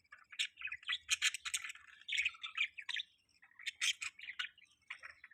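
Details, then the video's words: Budgie chirping in a quick chattering stream of scratchy, warbling notes and clicks, rising and falling in bursts with short gaps, soft and close in a quiet room. "budgie chirping|budgie chirping sounds|budgie chirping loud"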